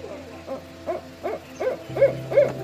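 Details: Owl hooting: short wavering hoots repeated roughly every half second, over a steady low hum.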